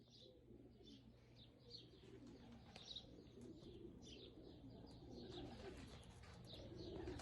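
Budgerigars chatter in quick, scratchy chirps and warbles over a steady low hum.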